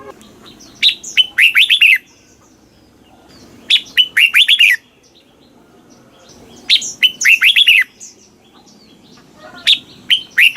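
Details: Red-whiskered bulbul from Thailand, in southern master-song style, played to stimulate caged birds and teach young ones: four bright phrases of five or six quick, rolling whistled notes, one about every three seconds, with quiet gaps between.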